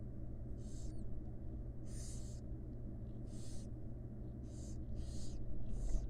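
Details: Nest-box barn owl chicks, wild, begging during feeding by the mother: six rough, hissing snores, later ones coming faster, with a steady low hum behind.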